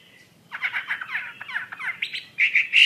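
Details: Chinese hwamei song starting after a short pause, with rapid harsh scratchy notes that turn into loud, clear, high whistles at the end.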